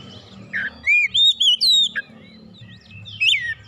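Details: Oriental magpie-robin singing to stir a mute kacer into song: long, pure, sustained whistles rising and falling, with a sharp downward slur, a pause, and then more looping whistled phrases over a low hum.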